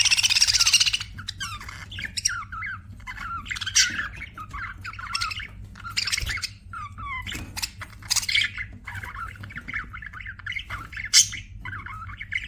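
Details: Pet budgies chatter busily: a loud noisy burst at the start, then repeated squeaky chirps and buzzy warbles, about four notes a second.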